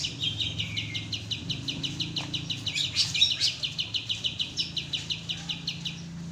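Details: Oriental white-eye master recording for training cage birds, long tembak-style song: quick sharp high notes repeated evenly about four per second, with a low background hum beneath.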